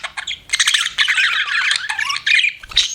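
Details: Harsh buzzy squawks from a pet budgerigar mixed with rapid chatter. A few short clicks open the clip, then a loud grating run follows.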